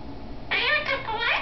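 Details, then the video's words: Captive male quaker parakeet talking at home, mimicking human words: a short, rough, buzzy utterance in two or three joined syllables, fairly loud over a low indoor hum. "the talking quaker"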